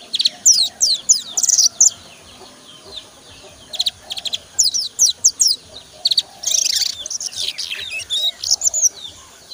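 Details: A young sogon, still learning to chatter and used as a master or lure bird, twitters in high, thin bursts of quick chirps and trills, pausing briefly between phrases like a bird still practising its song.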